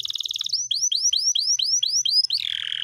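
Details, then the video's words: Canary rolling song for tutoring pet birds: a quick stuttering trill, then about nine clean upward-sweeping whistles at a steady pace, ending in a descending buzzy note. "masteran kenari gacor,gacor (durasi) panjang ngeroll"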